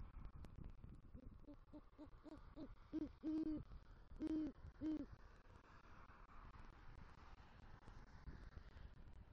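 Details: Male great horned owl bringing rodent prey to the nest tree in Southwest Florida, November 2023, calling for the female: a quickening series of low hoots, then three long, deep hoots, faint background hiss.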